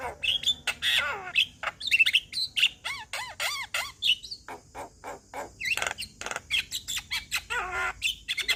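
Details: Singing male Javan myna whose song is claimed to start other Javan mynas singing; a dense jumble of harsh chatters, clicks and looping slurred whistles, rising and falling in quick succession.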